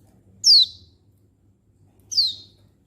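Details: Female Oriental white-eye calling to males, recorded 19/11/22: two thin, very high notes about 1.7 seconds apart, each a quick downward-sliding tseeu, over near silence.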